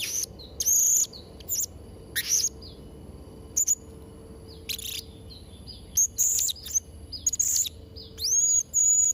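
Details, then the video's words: Blue-crowned hanging parrot song intended for training young birds: scattered bursts of shrill, buzzy chirps and high thin whistles separated by pauses, with a rising whistled note near the end. "Variasi & Isian Suara Serindit Trotol Gacor | Sangat Cocok Untuk Masteran& Pancingan Burung Serindit"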